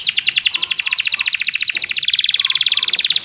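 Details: Kenari, or canary, delivering a continuous fast trill of rhythmic, evenly spaced notes, about twelve per second, rising slightly in pitch halfway through, in rolling ngerol style.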